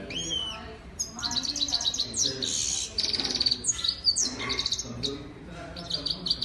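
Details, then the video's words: Female European goldfinch, also called Saira, singing: a lively, high twittering run of quick tinkling notes, buzzy trills and brief whistled slurs, continuing almost without pause. "European Lady Goldfinch or Saira Bird Singing"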